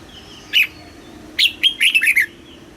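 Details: Red-whiskered bulbul song in the southern master style, played to excite caged birds and teach young birds: a lone sharp note, then a quick run of bright, slurred whistled phrases, over faint background hum.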